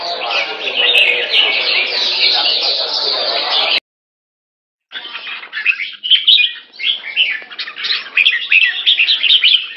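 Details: Kept Red-whiskered bulbul in molt, recorded in Singapore on 4 June 2017; a dense, blurred stretch of sound is followed by a short silence, then bright, chirpy warbled phrases.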